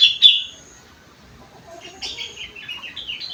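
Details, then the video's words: Sooty-headed bulbul with an isian of rengganis and cucak wilis: one loud clipped whistled note, a pause, then a quick stepping series of high warbled notes running down and back up. "burung kutilang isian rengganis / cucak wilis"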